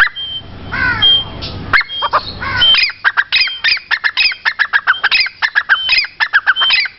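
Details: Grey francolin call: after a few loose rasping notes over low background rumble, a fast, even run of short harsh squawks follows, repeated many times in quick succession.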